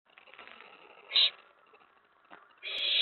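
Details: Excited owlet in a nest box, late evening of May 19 2017, reacting as an owl or owlet arrives on the tray after a mouse delivery; one short rasping hiss, then a longer harsh hiss starting near the end, with faint rustling between.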